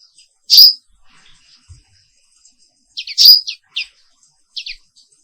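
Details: Black-capped white-eye, an Indonesian bird with a black forehead, in morning song: two loud sharp whistles separated by quiet, then a few quick high chirped notes.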